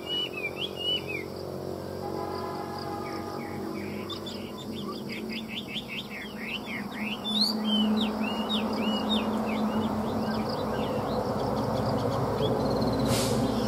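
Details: Chinese hwamei singing: quick runs of sharp, slurred whistled notes in the first seconds, then fainter scattered twitters over a steady background hiss and a low hum.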